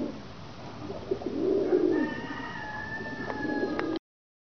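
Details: Pigeon cooing: low, soft, murmuring coos swell between one and two seconds, then fade, while a thin steady whine continues and two short sharp clicks sound near the end.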